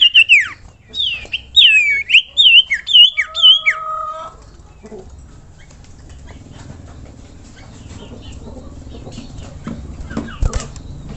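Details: Common iora (sirtu, cipoh) masteran song: a quick four-second burst of whistled slurred notes and two steady flat whistles, followed by near quiet with faint background noise.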